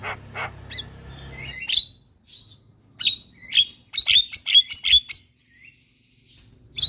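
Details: Javan myna singing actively in the morning, a lure and training recording: short whistles, then bursts of loud, harsh chirps mixed with clear whistled notes, a quiet gap, and a final chirp.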